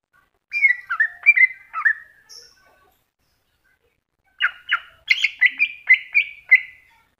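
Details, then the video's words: Cucak hijau, greater green leafbird, singing masteran: a short cluster of bright slurred whistles, about a second and a half of silence, then a rapid rising-and-falling series of clear chirps. "Cucak Hijau Masteran"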